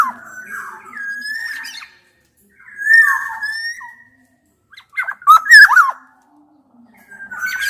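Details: Black-naped oriole song challenging a rival, combining Javan and Sumbawa males and females to provoke quiet birds into answering: fluty, slurred whistles in two-second phrases, then a cluster of sharp, scratchy notes, and a final whistle.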